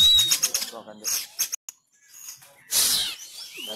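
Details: Sumatran Oriental magpie-robin in fighting-style song, a caged contest bird trained at home in the Covid-19 lockdown; choppy bursts of clicks and whistles broken by a brief silence, then a loud harsh rasping burst.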